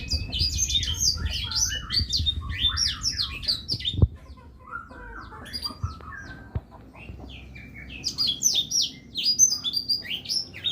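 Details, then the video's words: A Black-throated Canary sings a fast, chattering run of high twittering notes and trills, pauses briefly mid-clip, then resumes just as busily. "SUARA BURUNG BLACKTHROAT GACOR jernih"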